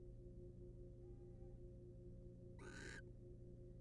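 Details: Wild barn owl in a monitored nest box while the male preens the female: a single rasping, hissing screech late in the clip, otherwise only a steady electrical hum.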